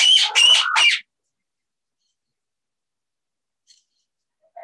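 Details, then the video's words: Parrots in a bird safehouse, described as vocalizing English words to one another; three quick harsh squawks within a second, followed by near silence. "Talk to the Parrots"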